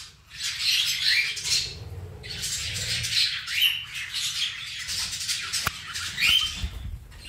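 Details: Pet cockatiels squabbling as one picks on the other: loud raspy screeches in several bursts, with brief upward-sweeping notes, a sharp click, and low rustling or flapping in between.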